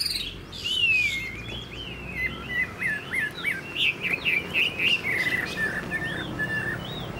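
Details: Caged songbird, a Chinese hwamei noted for good singing, pours out a rapid string of rich whistled notes, many short rising and falling slurs repeated several times a second, over faint low background noise.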